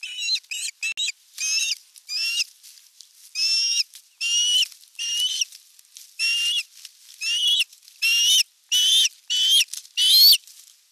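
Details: Osprey at the nest during evening feeding, 30 June 2022, nest camera: an insistent, continuous series of loud whistled, rising chirps, about one every half to one second, over eleven seconds.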